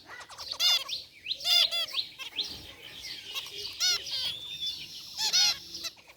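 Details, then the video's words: Zebra finch flock, including a rare white one, resting in an aviary: repeated nasal, harmonic toots roughly every second or two, with fainter chirps filling the gaps. "Cute Zebra Finches in Aviary | Relaxing Bird Chirping Sounds"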